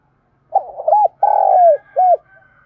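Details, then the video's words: Spotted dove cooing intensely, a recording used to provoke and lure wild doves: a short run of low hollow notes, then a long sustained coo dropping at the end, followed by one final arched coo. "cu gáy thúc gù sung nhất// Tiếng cu gáy cực hay dùng kích bổi tập mồi thì khỏi bàn"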